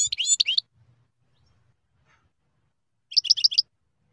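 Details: European goldfinch giving two short bursts of bright, twittering chirps separated by a few seconds of near silence.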